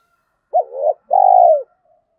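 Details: Decoy spotted dove with a 'giọng thổ' voice style, cooing to stir wild doves into calling: a brief looping double note, then one long sustained mellow coo that slides down at the end. The background is silent.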